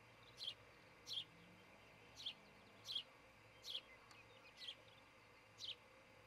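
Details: Nesting osprey at Charlo, Montana, on a camera feed shortly before 6 a.m. on 26 June 2018, giving seven loud, shrill, downslurred chirps at slightly uneven intervals under a low background hum.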